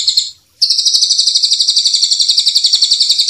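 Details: White-rumped shama song used for training, from a champion bird and a juvenile with spotted plumage. A short high note, then a pause, then a long, even, buzzy trill of quick repeated pulses.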